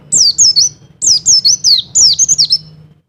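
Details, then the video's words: Mountain white-eye giving the double call that stirs a male to mate: three quick bursts of high, thin, down-slurred chirps, each burst about four notes long, roughly one second apart, with a faint low hum beneath. "Call Dobel Pleci Wilis Menaikan Birahi Pleci Jantan"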